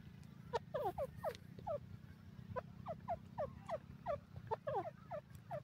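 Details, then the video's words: A francolin in forest gives a fast, harsh cackling run of about twenty hooked, falling notes, some doubled, over a steady low hum; this call is said to be newly recorded. "francoline bird call"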